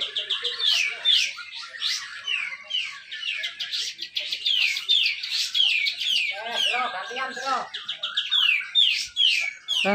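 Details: Grey-cheeked bulbul competing in Malinau, North Kalimantan, Indonesia, singing dense 'besetan rapet' song to draw out lazy birds. Long run of quick down-slurred whistles, roughly two per second, mixed with buzzy chattering from nearby birds.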